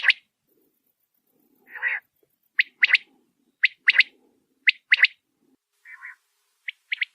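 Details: Desert quail, a bird hunters catch in fields and forests by playing its voice beside nets, giving short three-note calls roughly every second, mixed with a lower rough burst, a soft warble and faint low rustling.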